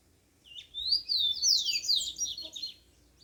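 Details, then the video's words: Wild yellow-bellied seedeater at dawn delivering one continuous two-second phrase of high, rapid, twittering notes that swoop up and down, with a low steady rumble behind. "Canto do papacapim na natureza"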